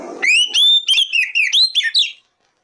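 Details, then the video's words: Lure song of an Oriental magpie-robin (kacer), played to make untrained kacer birds start singing. A rapid run of bright whistled notes, each slurred up or down, fills two seconds before stopping abruptly. "Pancingan Kacer Paling AMPUH,Untuk Pancingan kacer BAHAN agar Cepat Gacor"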